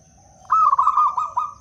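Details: Zebra dove of local wild Blora stock, whose voice serves as a lure for catching other doves: one bright trilled coo phrase of rapid pulses at steady mid pitch, ending in a short rising note, over a quiet hum.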